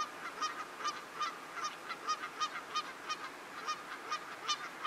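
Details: Lesser white-fronted geese in Geel, Belgium, in January 2020 give high, squeaky yelping calls, several birds overlapping in a steady chatter, around three calls a second.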